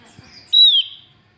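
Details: Calling female Javan grey-throated white-eye, used to draw males so others join in: one clean high whistle, level then gently dropping, ending in a short rough tail.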